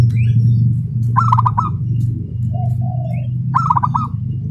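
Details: Local zebra dove, a prospect for song contests, delivering fast tight phrases: two rattling bursts of quick, bright cooing notes separated by a soft wavering coo, against a constant low mechanical hum.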